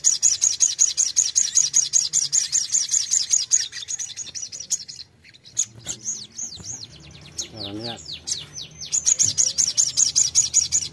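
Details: Bulbul (sogon) song played as mental therapy to provoke a fighter bird into answering: fast runs of high, sharp chips repeated several times a second, broken midway by sweeping whistled arcs and a lower warbling trill, then chips resume.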